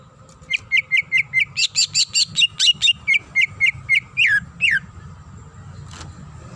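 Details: Greater green leafbird, the female calling the male, repeats a clear whistled note steadily about three times a second, breaking mid-series into a jumble of higher chirps before finishing with two sweeping downslurred whistles.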